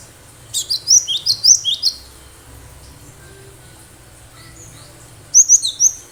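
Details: Wild-caught cinereous tit in full song, used to lure other birds: a rapid run of about eight high, ringing, down-slurred notes, a pause, then a shorter run of four.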